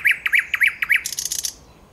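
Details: Thrush nightingale singing on 9 August 2022. Five sharp, evenly spaced notes are followed by a fast, buzzy rattle of about half a second, then quiet.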